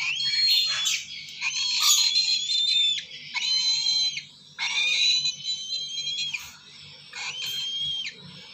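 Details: Begging calls from a young lesser sulphur-crested cockatoo: a series of drawn-out, harsh, nasal screeches, each about a second long, coming roughly every one to two seconds, with short rasping bursts between them.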